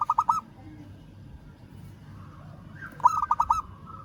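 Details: Rival-calling zebra dove of a local strain. A burst of rapid coos is followed, after nearly three seconds of low rumble, by another rolling phrase of five mellow notes.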